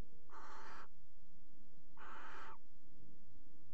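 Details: Pairing barn owls at a water-tower nest box in Axel, 5 February 2018, utter two loud breathy screeches of about half a second, 1.6 seconds apart, then low rumbling background noise.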